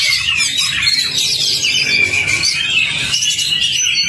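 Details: Oriental magpie-robin lure song to coax a silent kacer: an unbroken stream of high whistles and twisting warbles, rich and layered, with a soft low hum in the background.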